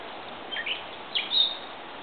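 A gray catbird gives two quick squeaky phrases, a slurred squeak then a higher scratchy note, against a steady background hiss.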